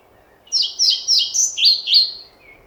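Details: Song of a European pied flycatcher, a close, loud phrase of six clear, sweet notes, each sliding downward, evenly spaced about every third of a second, on a quiet background.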